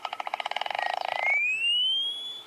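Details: Clapper Lark in flight on a morning safari along a cleared firebreak, wing-clapping: a quick, speeding-up rattle of about twenty claps made by its wings, followed by a long, thin, steadily rising whistle.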